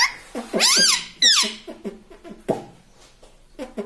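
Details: Pet parrot talking indoors, trained to say papa: a sharp rising-falling whistled squawk, then a series of short voice-like syllables in quick succession, mimicking speech.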